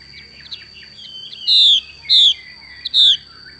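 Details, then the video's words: Female Chinese hwamei producing its xùy call: after quiet chattering, three strong whistled notes falling in pitch come roughly every half second, with a faint steady whine throughout. "Họa mi mái xùy cực đỉnh"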